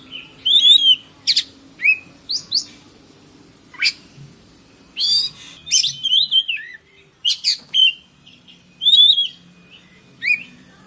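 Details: Oriental magpie-robin (kacer) singing a lure song meant to stir silent birds into song: quick bursts of bright, varied whistles, sweeping up and down, in short phrases broken by brief pauses, with occasional sharp clicks.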